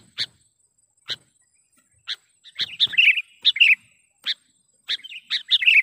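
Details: Sooty-headed bulbul used as a lure for trapping: evenly spaced sharp chips about one per second, broken by short gurgling, warbled bursts of several notes.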